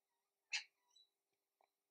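A single harsh, raspy squawk from a little wattlebird, followed by a few faint thin notes and one soft clipped sound in an otherwise quiet setting.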